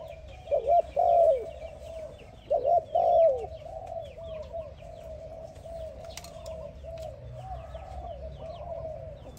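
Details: Spotted dove calling another dove; two loud, low, wavering cooing phrases early on, followed by softer continuous cooing, with faint high chirps of other birds throughout.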